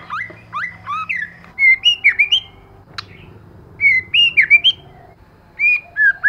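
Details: White-rumped shama, female used as a lure: short groups of bright, upslurred and wavering whistles, three bursts spaced by quiet gaps, over a faint background hum.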